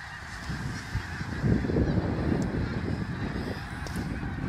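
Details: Snow geese on migration at Middle Creek Wildlife, recorded at sunset. Many birds honk together in a thick, unbroken wall of calls that grows louder partway through, over low background rumble.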